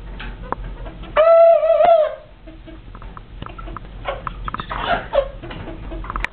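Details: Crowing from one of two roosters: a single loud cock-a-doodle-doo lasting about one second, held on a steady pitch with a short rise and a wobble before it drops off. Muffled background noise and faint squawks follow.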